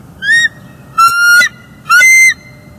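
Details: Early-morning bald eagle calls from a nest in northeast Florida, 24 December 2020, during nest restoration: three loud tonal squeals in a row, each curling up or down at the end.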